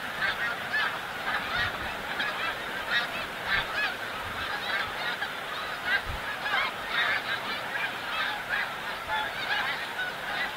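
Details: Migrating snow geese gathered at Montmagny, the snow goose capital, a massive flock calling together: countless overlapping honks in pulsing waves, loudness swelling and easing every second or two, with occasional low thumps.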